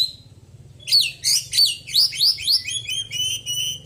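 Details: Oriental magpie-robin, a white-breasted Kacer poci kept with daily care after moulting, singing loud, varied high whistled and chattering phrases that swoop down and up, packed with imitated notes, after a quiet start.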